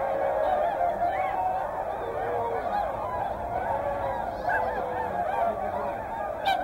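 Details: Whooper swans in a mixed flock with tundra swans at Hyoko, Niigata, call together in a dense chorus of nasal, bugling honks that overlap without pause and are layered from near and far.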